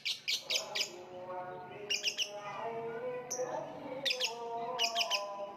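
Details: Lovebird uttering clusters of three or four rapid, shrill chirps separated by pauses, over layered steady tonal sounds and faint background chatter.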